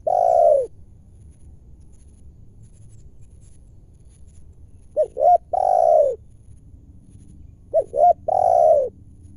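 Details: Wild spotted dove with a large, clear voice coming down to a lure bird during trapping; three phrases of paired short hoots leading into a long rolling coo that drops in pitch, spaced by a few seconds of near silence.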